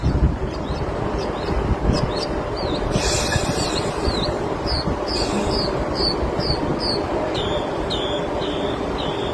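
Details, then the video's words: Northern mockingbird in a city mimics a car alarm in sync with it, with bright, high chirps repeated about twice a second and switching between phrase types, over a steady rumble of traffic. "a mockingbird singing a car alarm"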